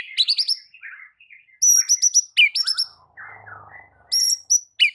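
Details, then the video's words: White-rumped shama tutor song for training silent birds: high chattering notes with stacked harmonics alternate with lower warbled phrases and a brief buzzy low passage in the middle. "Murai Batu BISU seketika langsung TERPIKAT dengan MASTERAN murai batu ini"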